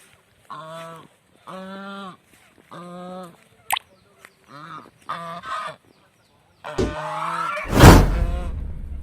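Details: Honking of a village swan: evenly spaced nasal honks about a second apart, ending with loud rustling and a crashing noise.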